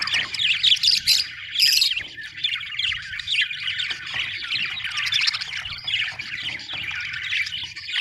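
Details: Happy budgerigars warbling and chirping together, a dense stream of squeaky, scratchy notes with louder bursts early on, over a low background hum.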